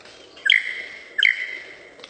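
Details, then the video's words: Lyrebird making mimicked sounds: two loud, bright phrases about 0.75 seconds apart, each a quick upward flick into a long, steady whistled tone that slowly fades, over a quiet background. "super lyrebird making sounds"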